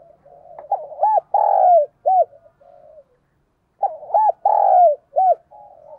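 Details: Spotted dove kept as a decoy, cooing to urge and call other doves: two matching phrases of deep, mellow hoots, each with short notes around a longer swelling coo, about three seconds apart, on a quiet background.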